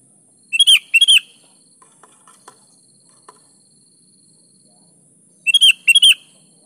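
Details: Energetic sooty-headed bulbul song played to provoke lazy kutilang into responding: a fast four-note whistled phrase, a few faint soft clicks and ticks, then the same bright phrase again about five seconds on.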